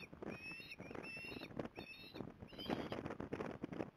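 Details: Osprey at Port Lincoln on 15 December 2020, giving clear whistled notes, each held about half a second with a slight rise and fall, in three phrases over four seconds, above low rumble and patter.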